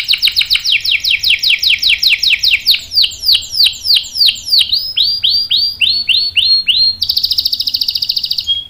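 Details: Canary singing to lure other canaries into answering: a long series of bright downward-sweeping whistled notes, roughly two per second and gradually slowing, then switching to a fast, loud high-pitched rolling trill.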